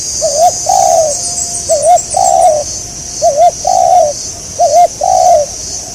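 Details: Spotted dove calling during an Indonesian bird-trapping session for a local target bird. It gives four evenly spaced cooing phrases, one about every 1.5 seconds. Each is a quick wavy double note, then a longer, steady coo that drops at the end. A constant shrill insect hum sits behind.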